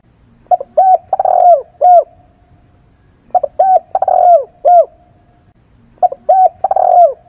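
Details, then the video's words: Spotted dove calls for luring wild birds: a rhythmic phrase of two short rising notes, a longer falling coo and a clipped final note, repeated three times roughly every three seconds against quiet background. "tiếng chim cu gáy || GÁY, THÚC, GÙ"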